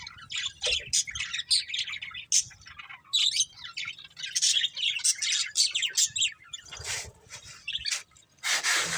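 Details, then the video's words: Budgies from a breeding pair chirp in quick irregular bursts, sharp high tweets and scratchy warbles, ending with a harsh broadband squawk. "Cute Budgies Chirping Sounds | Love Birds Breeding Pair"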